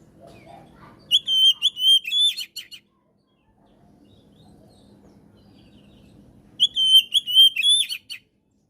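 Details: Repeated phrases from a singing Oriental magpie-robin (kacer), recorded as masteran and pancingan for birds gone quiet: shrill steady whistles strung together and ending in rapid buzzy twitters, two phrases with a quiet murmuring pause between.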